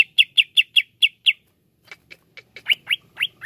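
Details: Greater green leafbird singing: a fast run of six sharp, clipped chip notes, a pause with soft ticks, then rising whistled notes in quick succession.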